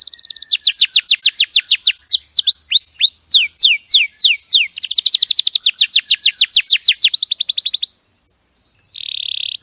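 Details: Champion canary: long, rapid trill of down-slurred notes, a few swooping hooked whistles, another fast trill, then a pause and a short buzzy note.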